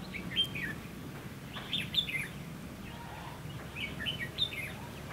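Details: Red-whiskered bulbul singing as a trapping decoy to lure wild birds, 22 October 2016: short phrases of clear, warbled whistles repeated in three bursts, with steady low background noise.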